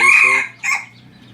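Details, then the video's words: Chicken giving a short, strong harmonic crow note that drops slightly, followed after a brief gap by a second, shorter burst. The background is quiet. "qaib qus qaib dib qua zoo heev cuab tuaj zoo"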